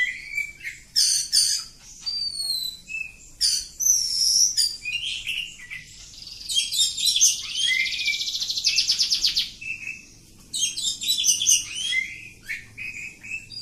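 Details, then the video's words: Village-type oriental magpie-robin delivering a long flowing song of whistled slurs, varied chattering notes and a lengthy fast rattling trill, phrases following almost without pause. "Kacer Kampung. Super Ngacor panjang"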